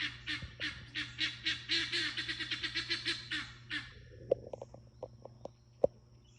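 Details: Guineafowl kept in a farm flock, loud and harsh: a fast rhythmic series of grating notes, about four per second for roughly four seconds, then scattered short clicks and one sharp knock over a steady low hum.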